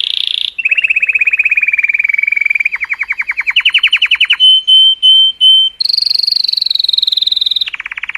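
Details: Cheerful Color Canary singing to stimulate females. A rasping buzz opens into a long rolling trill, then a deeper trill rising in pitch. Three sustained pure whistles follow, then a high extended trill and a lower closing one.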